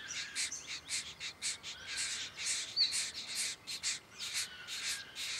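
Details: Diamond firetail recorded in Victoria, Australia, in November 2014: a dense run of short, high chirps and buzzy notes, about two per second, overlapping and uneven, with no other clear sounds.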